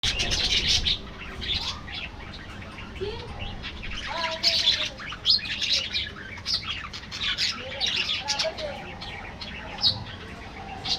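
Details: Budgerigars in an aviary colony: dense, continuous high chirping and chattering from many birds, with quick warbled notes and short squawks overlapping throughout.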